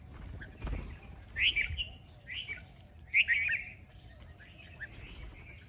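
A small bird sings short, bright chirping phrases with pauses between them.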